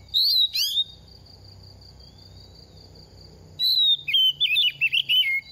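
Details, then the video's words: Oriental magpie-robin, a second-year bird losing feathers during moult, sings a short whistled opening, falls silent about three seconds, then delivers a lively warbling run of looping, descending notes. A constant thin high whine runs underneath. "Kích chim hót mùa thay lông | Choè than bánh tẻ lên 2 vụ mau mồm đang rớt lông p3 Kích Choè Than Hót"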